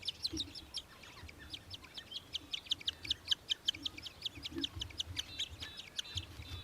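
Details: Australian hobby in Victoria, Australia, December 2023: a rapid chattering series of sharp, high notes, about five a second, running steadily throughout, with a faint low rumble beneath.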